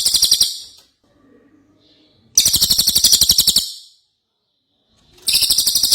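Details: Ashy tailorbird in lively song: dense, rapid high-pitched pulsed trills delivered in bursts of about one second, with quiet gaps between them.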